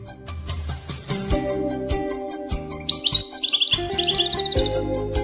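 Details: Caged European goldfinch from a Marrakech, Morocco hobbyist association, giving a fast bright twittering run of high chirps in the final seconds, after sparse notes, with background music playing throughout.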